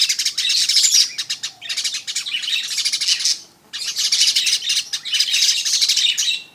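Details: Continuous fizzing, rasping chatter from a weaver comes in four dense bursts, with a clear gap just past halfway.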